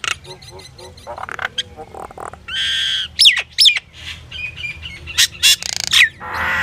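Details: Common myna (Indian myna) singing: a varied jumble of harsh broadband bursts, buzzy rasps, sharp clicks and sliding whistled notes, with a low steady hum underneath.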